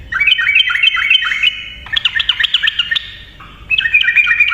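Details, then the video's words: Yellow-vented bulbul singing vigorously in rapid continuous ropel style, used to lure silent bulbuls into song; bubbly whistled phrases of quick descending and rising notes in bursts with brief gaps, fairly clean background. "TRUCUKAN GACOR NARUNG ROPEL cocok untuk pancingan burung TRUCUKAN DIAM"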